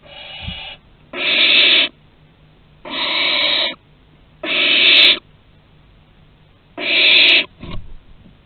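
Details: Barn owl hisses at Théding, France, on 2 September 2020, during a first flight from the nest and return. A faint wheeze followed by four rasping screeches every one and a half to two seconds, with a soft click.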